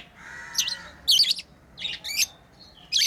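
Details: Pet lovebirds chirp while playing: a few harsh, high, buzzy notes spaced apart, with a faint steady whistle-like tone early on.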